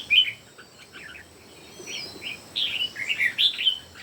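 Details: Three red-whiskered bulbuls singing against each other; a sharp whistled note opens, then scattered chirps and a lively run of rich, fluty warbles in the second half, with a thin high hiss behind.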